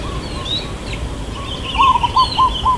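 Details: Long 'kuk' coo of a local zebra dove, or perkutut, in the 'irama lelah' style. A faint phrase comes first, then a louder run of four or five rolling, pulsing coo notes. Other small birds chirp in the background.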